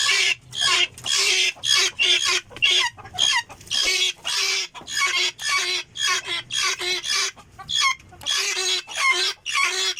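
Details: Helmeted guineafowl giving harsh, grating calls in a fast series, about two per second, each a broadband rasping burst. The pace stays fairly steady, with brief gaps between calls and a faint low hum underneath.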